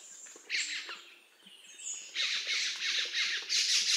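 Black-throated magpie-jay giving harsh, raspy squawks in quick bursts, about three a second, high and noisy, with a few thinner notes between.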